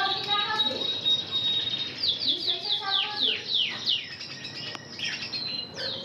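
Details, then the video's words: Red intense canary hen trained in Spanish Timbrado song, delivering a varied run of high metallic notes, sweeping descending slurs repeated in quick series, and sustained tones, with faint background noise. "Matriz vermelho intenso em apresentação de canto"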